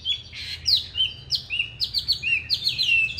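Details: Fighting-style song from a 'Lục Đậu Thanh' Chinese hwamei, meant as a training model for soft, non-harsh singing: clear high whistles and quick slurred notes in a lively, unbroken stream.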